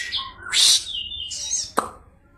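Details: Medan kapas tembak white-eye giving a short varied phrase: a low note, a loud harsh high burst, a level thin whistle, then another rasping burst, followed by a single sharp click.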